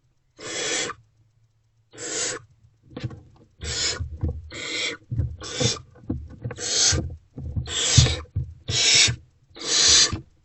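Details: Barn owls at their nest box at night, 28 February 2024, with food being delivered: rasping hiss-screeches repeated about once a second, mixed with scraping, rustling and thumping movement sounds.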